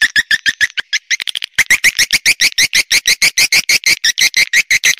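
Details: Swiftlet calls: a fast, fairly regular train of sharp clicks, about three per second, each carrying a high chirping note, with a brief burst of quicker ticks near the start.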